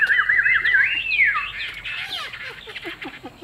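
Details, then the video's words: Caged Chinese hwamei with a fig-leaf-shaped tail, kept as a trade bird, singing: a rapid wavering whistled trill that slides up and then down, followed by scattered short varied notes over a faint background hiss. "Họa mi đuôi lá vả bóng bộ đẹp hót hay"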